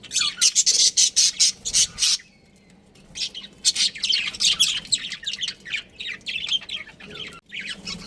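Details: Budgerigars, a breeding pair kept at home, open with a loud rapid series of harsh squawky chirps, fall briefly quiet, then resume with a looser stream of scratchy high chatter.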